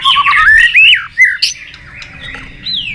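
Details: White-rumped shama singing competitively: a loud burst of rising, warbling whistled notes in the first second, a short sharp phrase, then quieter chatter and a final falling whistle.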